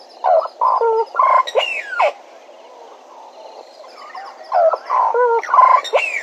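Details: Bennett's woodpecker at Djuma giving loud, harsh nasal calls in two bursts: a cluster of buzzy notes ending in a sharp descending squeal near 1.7 seconds, a quiet pause, then a similar burst with a final rising-falling note. Faint insects hum behind.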